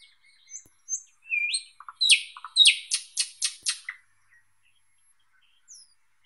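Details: Thrush nightingale: soft high whistles and a rising slur, then a loud series of about eight sharp, buzzy, clicking strokes at steady pace, then quiet with a faint falling whistle.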